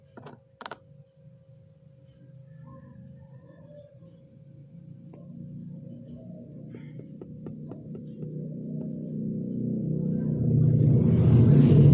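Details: Clicks, a steady low hum and a faint held tone build into rising rumbling noise, with no animal voice heard.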